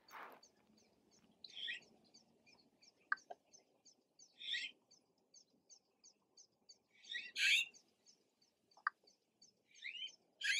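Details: Young red-billed blue magpies, recently fledged and moving on their own: harsh rasping high calls at irregular intervals, with a soft regular high ticking throughout and a few sharp clicks.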